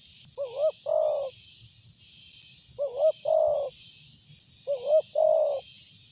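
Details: Loud-voiced spotted dove, described as good for luring, giving three coo phrases, each two short wavering hoots then a longer drawn hoot, spaced about two seconds apart over a steady pulsing insect drone.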